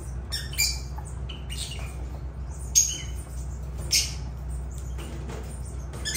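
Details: Lovebirds giving scattered shrill squawks and short chirps, bursts spaced irregularly over a steady low hum in the background.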